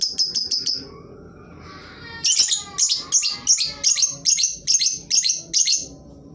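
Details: Lovebird, played to coax silent lovebirds into song. A quick trill of five sharp chips and a faint thin warble lead into a fast, steady run of about ten harsh, shrill screeches, roughly two per second.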